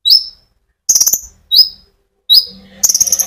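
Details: Konin sunbird singing to stimulate other birds: sharp high chirps sliding down, mixed with brief fast buzzy trills; a faint low hum appears toward the end.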